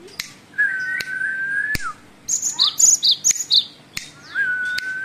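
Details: Great tit singing a song of many variations: a long steady mid-pitched whistle, then quick high two-note chirps alternating up and down, then another drawn-out whistle, with sharp clicks throughout.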